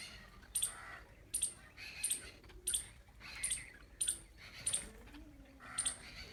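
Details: Jungle babbler, the seven brothers bird: a steady series of sharp, scratchy single notes spaced under a second apart, about nine in six seconds, over quiet low background noise.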